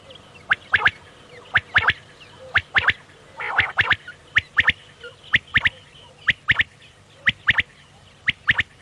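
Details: Repeated short, sharp quail notes in pairs and triplets, roughly one group per second for nearly nine seconds, with a short harsher noise burst near the middle and low background hum; from quail hunting in the evening.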